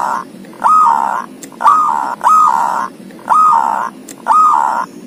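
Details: Ngoar-style song of a zebra dove with thirteen tail feathers: five long, hoarse coos, each opening with an upward slide into a steady note, repeated roughly once a second.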